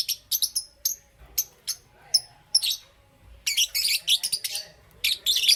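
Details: Green opaline and Parblue Euwing green opaline lovebirds in morning chirping: sets of thin, very high tweets, a short pause, then a loud burst of rapid scratchy chirps.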